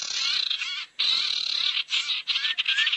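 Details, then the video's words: Barn owl lure recording meant to draw owls together: harsh, hissing screeches, each lasting up to about a second and broken by short gaps, with a few faint whistled notes near the end. "SUARA PIKAT BURUNG SIRTU NGUMPUL"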